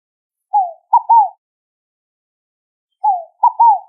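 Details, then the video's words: Two scaled dove song phrases about two and a half seconds apart, each a gentle falling coo followed by a short note and a longer arched note, with nothing else audible. "O Canto da Rolinha Fogo Apagou!"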